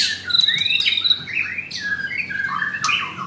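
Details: In a Kemayoran, Jakarta bird shop, a caged blue-ringed white-rumped shama gives a clear, sliding whistle. Then come fluttering high notes and lower rich warbles, loud and close, with faint room hum.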